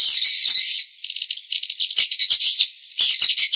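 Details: Swiftlet lure calls: loud buzzy twittering, a softer stretch of rattling chirps, then louder raspy bursts again, all high-pitched and rapid.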